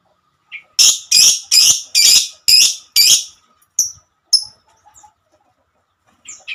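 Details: Six loud, harsh, rasping notes about half a second apart from a female lovebird, followed by a few thinner, high chirps and quiet gaps.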